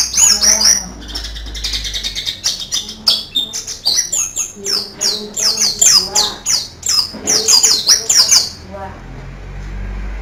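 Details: Oriental white-eye master bird with canary-style song: rapid, high, varied twittering and sweeping notes in quick bursts for eight seconds, ending in faint low hum.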